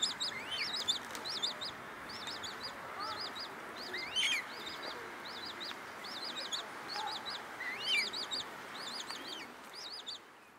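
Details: Juvenile common moorhens calling at a pond in Leipzig's Rosental in August: thin, high squeaky notes repeated in quick pairs, with occasional louder rising squeals, over a steady background hiss.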